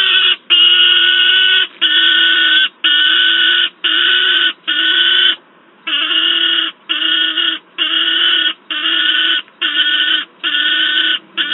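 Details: Noisy juvenile peregrine falcon at the PEC site in Wałbrzych, Poland, on 10 August 2022, with an adult nearby, giving loud harsh drawn-out screams, each about half a second to a second long, repeated roughly once a second in a steady series.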